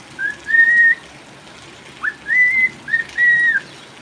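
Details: A cockatiel, a pet bird, whistles during rain: a long level tone, a pause, then a quick upward note and two more held whistles, against soft rain hiss.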